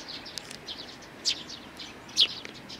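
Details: Sparrow nestlings, a brood of three, recorded 12 May 2019. A soft, continuous high chattering runs throughout, broken by two louder, sharp chirps.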